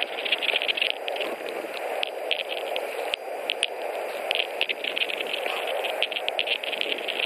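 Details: White-tailed eagle pair at a nest in Latvia, 21 March 2018, delivering hay just before mating; bursts of quick repeated yelping notes come and go over continuous wind-like hiss.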